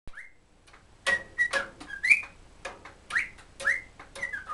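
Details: A cockatiel in a good mood sings a tune it was taught by whistling, "Kotori no uta": clear, bright notes sliding up and down, broken by short scratchy chirps and clicks.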